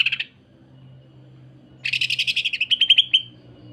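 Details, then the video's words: Rapid song of a greater green leafbird used to train other leafbirds: a brief buzzy note, a pause, then a fast rattling trill of sharp high pulses lasting over a second. "MASTERAN DAN PANCINGAN Cucak Ijo. Kasaran Rapat Mesin Jahit dan Suara Aneh"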